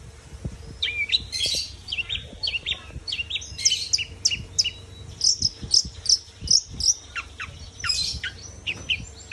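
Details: Long-tailed shrike song made of rapid, varied chirps and piercing high notes, bursts spaced irregularly with brief gaps, some clicks and a constant low hum beneath.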